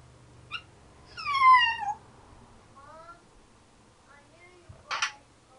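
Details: Pet African grey parrot, ten years old, at home giving a loud drawn-out descending harmonic whistle-like sound, followed by a softer shorter echo of it, a faint click and a sharp noisy burst.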